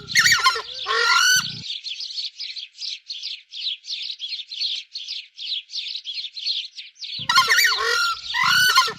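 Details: Harsh honking bursts from a screamer open and close the recording, with a rapid, rhythmic series of high chips from other birds filling the middle.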